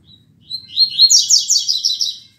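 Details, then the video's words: A rusty-collared seedeater at 6:30 a.m. on 16 December 2019 sings a classic tuitui song used to tutor young birds: a thin opening whistle, then rising notes running into a quick, bright series of buzzy chirps. "CANTO TUITUI CLASSICO"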